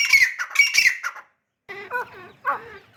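Grey francolin female giving a burst of harsh, scratchy squawks, then after a short pause a few lower, wavering nasal notes.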